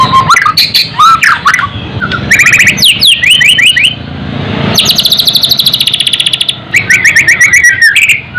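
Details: White-rumped shama song meant to raise fighting spirit and emotion: mixed slurred whistles followed by rapid, buzzy rattling trills of high notes, with bursts separated by short pauses.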